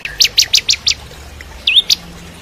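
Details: Bar-winged prinia (ciblek kristal) singing strongly, used as model song for magpie-robins. Five loud, sharp chipping notes in quick succession, a pause, then a swooping upslurred note and one more chip.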